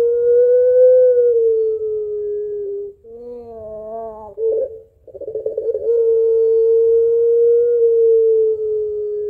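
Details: A Barbary dove (white puter pelung), described as crying, laughing and calling its mate, gives long, drawn-out low steady coos lasting several seconds, broken midway by a wavering, then rough, laughing stretch.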